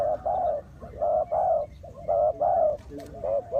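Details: Decoy spotted dove cooing to lure wild doves into a trap: deep, mellow coos in steady back-to-back phrases, roughly one per second, with a click near the end and a quiet outdoor background.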